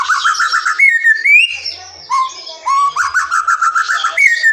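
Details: Wild forest white-rumped shama singing, a recording meant to lure silent or young shamas into song: a clear whistled opening, then fast repeated trilled notes, a rising whistle and a low slurred phrase before the trill returns.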